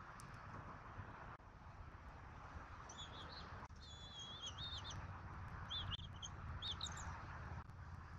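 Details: Bald eagles at a Southwest Florida nest at dinner time on 14 February 2024, with an adult pair and their eaglet. Thin, high whistled chitters come in quick rising-and-falling bursts over steady low background rumble.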